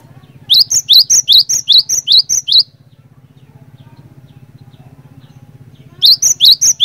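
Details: Lure song of an energetic cinereous tit that makes other tits sing along: a rapid burst of shrill upslurred whistles alternating between two pitches, a silent gap of about three seconds, then another burst, all over a low mechanical hum.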